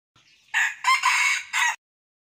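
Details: Newly acquired wild Red junglefowl used as a decoy, crowing: a short faint lead-in, then a loud harsh broken crow in three bursts with a drawn-out middle, over about one and a half seconds, otherwise quiet.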